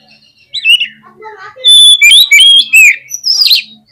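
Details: Oriental magpie-robin (kacer) delivering a fast, agitated song to provoke rivals: a whistled opening slur, soft lower notes, then loud piercing whistles and sweeping high phrases in quick succession.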